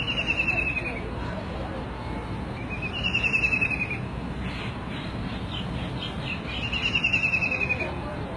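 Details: White-throated kingfisher (Halcyon smyrnensis) gives three loud, descending whinnying trills of rapid notes, each about a second long and spaced roughly three seconds apart, over a steady low rumbling background.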